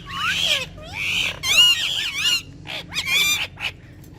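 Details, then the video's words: Pet ringneck parrots said to speak Urdu, interacting and dancing together: loud harsh squawks with wavering, warbled overtones in several bursts, almost nothing else heard. "Cute Urdu Speaking Ringneck Parrots || Ringneck Parrots Talking And Dancing With Each Other"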